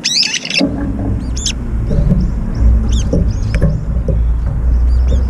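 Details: Brown-eared bulbuls competing for food at a feeder, driving rivals off in midair. A loud harsh squeal opens, followed by fainter scattered squeaky notes over constant low rumbling.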